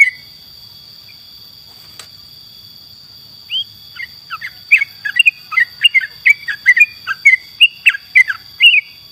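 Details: Yellow-vented bulbul in lively song for songbird training: a few scattered notes at first, then from about four seconds a rapid, bubbling sequence of short slurred chirps, with an unbroken high electronic tone.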